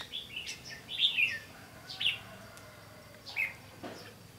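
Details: Red-whiskered bulbul with a bell-like voice, recorded during bird trapping on 15 June 2016: short clear whistled phrases with quick rising and falling notes, in bursts about a second apart, with faint background hiss.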